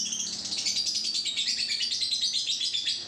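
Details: Two-month-old lovebird giving its long ngekek trill: a rapid, unbroken chattering run of high buzzy notes lasting about three seconds without a pause.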